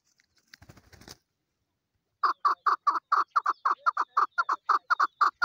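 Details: After a short scuffling noise and a pause, a female chukar partridge breaks into loud, repeated clucking chuck notes, roughly two per second, evenly paced and harsh in tone.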